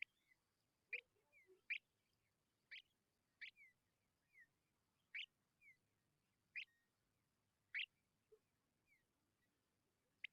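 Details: Tawny pipit babies begging because they are hungry: around nine short, grating bursts spaced about a second apart, with thin falling whistles and low soft notes in between.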